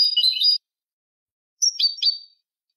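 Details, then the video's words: Canary malagueño song for training: one short bright warbled phrase, a pause, then a second phrase of quick falling notes ending in a thin whistle. "cd canto malagueño"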